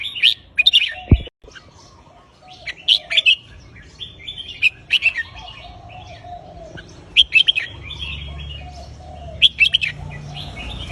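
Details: Looping counted-phrase song of a caged red-whiskered bulbul. Emphatic whistled phrases repeat roughly every two seconds, with a sharp knock early on and continuous background warbles from neighbouring birds.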